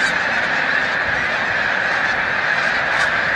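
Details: Snow geese on spring migration at Montezuma, New York, 7 March 2022. A short burst of an enormous flock's chorus, with nasal honks packed into a continuous roar.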